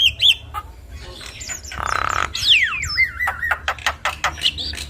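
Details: A Javan myna, called jalak kebo, gives full isian masteran song for young birds to copy: a coarse rasping burst, a long falling whistle with wavering end, then sharp clicks.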